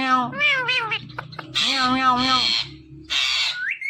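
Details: Pet Indian ringneck parrot, male, indoors watching its own videos; repeated meow-like wavering harmonic calls, then two loud harsh broadband screeches with a short rising whistle at the end.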